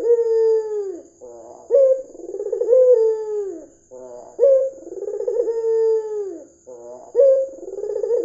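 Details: White red-eyed dove, a lure recording to prompt other doves to call. Repeated rhythmic coos, each a clipped rising note flowing into a long falling purr. A faint continuous high-pitched whine sits behind them.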